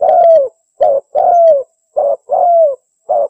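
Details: Spotted dove call played to lure birds in: soft, hollow cooing notes, some brief and some drawn out and falling slightly, spaced less than a second apart in a quiet setting.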